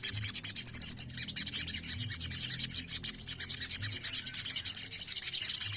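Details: Massed song of many ruby-throated myzornis singing together, a therapy recording to make birds sing: dense, very high, rapid twittering chirps in a continuous chorus, with short bright trills near the one-second mark.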